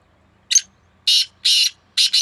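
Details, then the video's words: One harsh phrase from a black francolin contest between two birds. A short scratchy first note is followed by two longer rasping notes and a quick doubled ending, all loud and clear against near silence. "2 شیدھی کالے تیتر آوازوں کا سخت مقابلہ"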